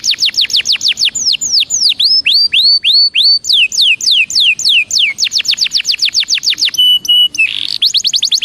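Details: Belgian canary song for warming up: quick repeated falling whistles, a slower group of looping slurs, more rapid sweeps, then a steady held tone and a brief rough burst.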